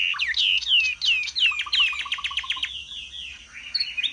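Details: A caged Chinese hwamei, a fanning male singing loudly, high and strong, in a rich, fast run of loud slurred whistles, then a train of quick repeated notes and a few varied phrases; faint low hum beneath.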